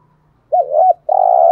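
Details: Spotted dove giving 'thúc gù' coos, used to lure wild doves. After a quiet start, a wavering double-humped hoot is followed by a drawn-out level coo, with a faint low hum underneath.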